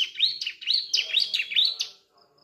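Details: Juvenile Sunda streaked-tit, a young ciblek learning to sing, delivering a quick burst of loud, high, buzzy chattering notes that rise and fall in rapid succession, then stops.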